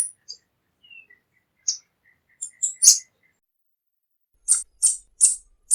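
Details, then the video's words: A tanager utters a thin falling whistle and scattered chips, then a steady series of four loud, sharp chip notes about half a second apart. "SONIDO DE LAS TANGARAS"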